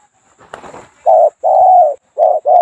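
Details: Spotted Dove used as a decoy in Thailand, two-coo style with a small voice: a brief rustling noise, then three low, steady, hollow coos, the middle one long.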